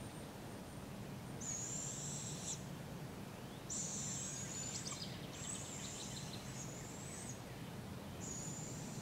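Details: Barred owl fledglings being fed by their parents at a local park in Polk County, Iowa, on July 6, 2017 give harsh, high hissing screeches about a second long, every couple of seconds, over a steady low background rumble.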